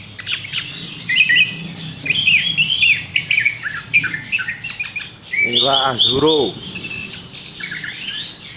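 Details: Caged Horsfield's bush lark, hung up straight away, singing a busy high twittering song of slurred whistles and chirps throughout, while a brief low human voice sounds in the middle.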